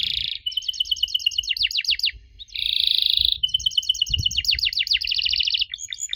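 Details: Canary song used to prompt young canaries to answer: a dense buzzing trill, then rapid repeated chirps and sweeping downward notes, a second buzzy roll and another fast run of sharp chirps.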